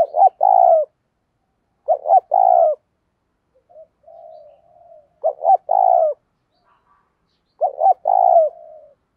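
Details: Spotted dove acting as a decoy to trigger fighting, giving four low cooing phrases, each two quick notes and a longer coo, with a soft murmur midway.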